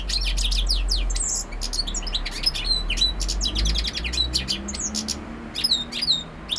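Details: European goldfinch (Carduelis carduelis) in continuous song, a fast, dense run of high liquid twitters, trills and sharp chirps, tumbling on almost without a break, with a faint low hum underneath.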